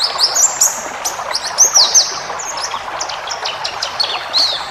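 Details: White-eye training song for caged birds in the 'ngalas' style, meant to make birds sing back: sparse high, thin whistled slurs and chirps, some falling sharply, separated by short pauses over a constant hiss.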